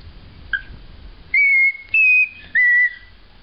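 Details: Male pet cockatiel whistling the opening three notes of the Close Encounters theme, a tune learned as a baby bird. After a brief soft chirp, three clean, steady whistled notes sound about half a second apart, the second pitched slightly higher.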